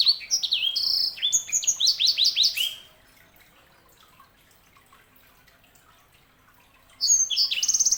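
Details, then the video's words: Canary hybrid (sanger) singing a burst of bright, rising and falling whistled notes and rapid chips for about three seconds, then silence, with a new trill starting near the end. "KICAUAN SANGER"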